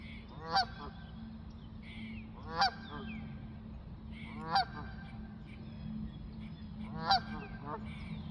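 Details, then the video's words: Geese honking while taking flight: four strong nasal honks roughly every two seconds, fainter answering calls between them, over a steady low drone. "Geese honking and flying"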